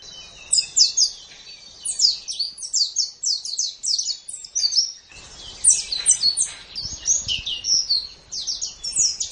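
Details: White-eye from a long master track for training competition songbirds: bursts of quick, high, slurred chattering notes in tight clusters, separated by short pauses, with faint low background noise.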